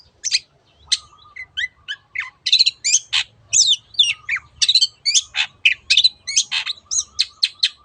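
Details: 'Teot teot' song of a long-tailed shrike, used to prompt other birds to sing: a varied, fast stream of clicks, slurred whistles and scratchy notes, growing louder and denser toward the end.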